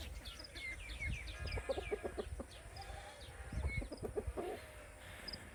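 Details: Baby chicks on a farm chirping: a busy stream of short, high, downward-sliding peeps, several overlapping, over lower soft clucking sounds and a steady low background rumble.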